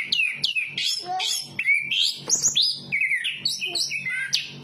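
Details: Varied whistled song of a Chestnut-capped thrush, a forest bird of Southeast Asia: rapid slurred notes sweeping up and down, some rich and rolling, others thin and high, delivered almost without pause.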